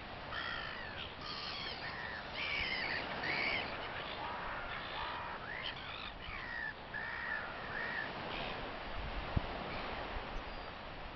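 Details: Gulls at feeding time give a busy stream of harsh, overlapping calls with nasal harmonic tones. Several birds call at once in short bursts over steady background hiss.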